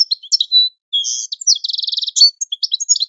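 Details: European goldfinch training song: near-continuous varied twittering with thin whistled slurs and a fast, rattling trill in the middle. Bright and high, with no other sounds.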